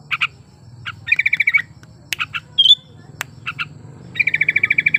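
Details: A sooty-headed bulbul in breeding condition sings to coax silent birds into song. Paired clipped notes and a quick rising whistle lead into fast chattering runs, with clicks and a low background hum.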